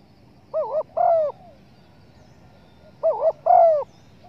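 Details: Lure call of a spotted dove for hunters: two phrases, each a trembling two-part note followed by a longer mellow coo that dips at the end, over a low, steady background rumble.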